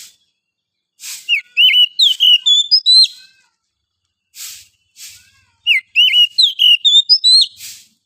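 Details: Wild oriental magpie-robin from forest, singing in the morning: two bursts of clear whistled phrases, rising and falling notes and quick slurs mixed with short buzzy, scratchy notes, separated by about two seconds of silence.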